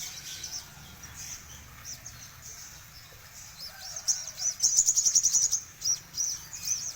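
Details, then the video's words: Actively singing crimson sunbird: thin, very high notes at first, then a fast, rattling trill of sharp chirps at the loudest point, trailing off into scattered high calls. "Burung sogon gacor full 2020"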